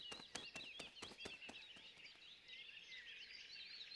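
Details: Jungle babblers in a backyard in Gurgaon during lockdown, youngsters making their first flights; dense overlapping squeaky chattering notes, with sharp clicks in the first half.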